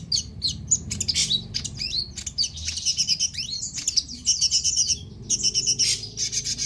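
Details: A chattering song from a konin sunbird, meant as a prompt for kolibri birds that have stopped singing. Dense, very high twitters and quick slurred notes run almost without a break, with one brief pause midway.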